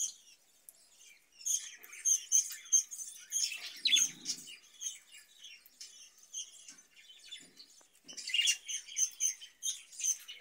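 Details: Budgerigars in a cage used for breeding, twittering and warbling in uneven bursts, with a faint low rustle partway through and a louder burst of chirps near the end.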